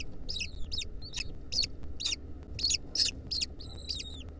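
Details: Wild lesser kestrel nestlings in a nest, with a centipede clinging to them, give a rapid series of about ten harsh, high chittering notes, roughly two per second, over a steady low rumble; recorded in 2023.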